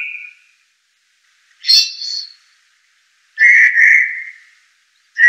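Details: Blue jay giving a few short, clear whistled notes separated by pauses of over a second, with a brief burst of higher, rougher notes in between; no other sounds are heard.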